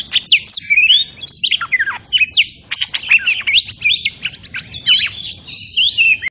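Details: Trapping lure of an oriental magpie-robin: rich, fast run of varied whistled notes, upward and downward slurs and crisp chirps in near-continuous song, with a faint constant high hum.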